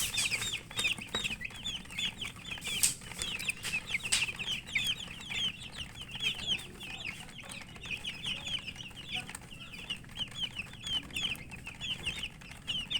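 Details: Domestic chicks (murgi) feeding, with a long unbroken chorus of high, short, slurred chirps from many birds, steady in pace, and frequent soft clicks from pecking at food.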